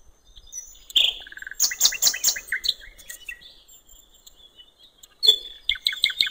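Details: By a river in the wild, a common nightingale delivers varied phrases: a whistled note, a quick burst of harsh clicking rattles and buzzy notes, a pause, then a fresh series of fast repeated chirps.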